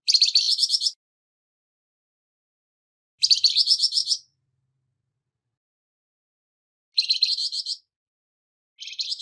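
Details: Flamboyan bird with a harsh voice, recorded to train songbirds: four gritty, buzzing phrases of rapid notes repeated about every three seconds, with silence between them; the last phrase is cut off at the end.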